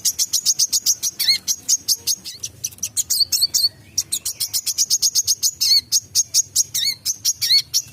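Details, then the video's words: Wiceh songbird singing vigorously in 'mbeset' style for tutoring caged songbirds: a rapid, almost continuous run of shrill high chirps, steady and fast, broken by occasional lower swooping notes and a brief pause in the middle. "Burung WICEH gacor MBESET untuk Masteran"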